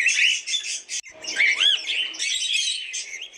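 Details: Several cockatiels chirping together in a dense, steady chatter of high twittering notes, broken by a clear arched whistle about midway that rises and falls with a fainter lower echo beneath it.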